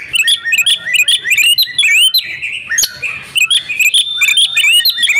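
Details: Female Oriental magpie-robin calling to draw silent males into song: quick jumbled upslurred whistles and chirps, over two notes per second, with a short burst of harsh buzzy sound midway.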